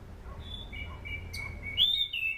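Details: Soft level whistles building to a brighter warbled phrase near the end, sung by an anis cendana thrush used as a lure for training birds.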